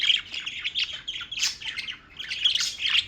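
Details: Continuous chirping from birds in New York, with dense overlapping tweets and rough squawks in uneven bursts that swell and dip about every half second, with no pause.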